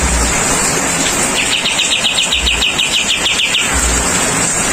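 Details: Rain therapy for a kapas tembak bulbul: one extended burst of quick repeated chirps, roughly three or four per second, lasting over two seconds, set in steady pattering rain with a faint low hum.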